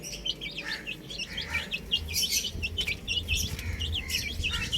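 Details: Young chickens playing on a rooftop give rapid, high-pitched peeping chirps that overlap continuously from many chicks, with a low background rumble.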